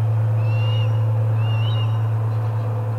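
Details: At the Charlo osprey nest on 25 August 2020, first food delivery of the day: two soft, slurred whistles that rise and then flatten, about one second apart, set against a loud steady low hum.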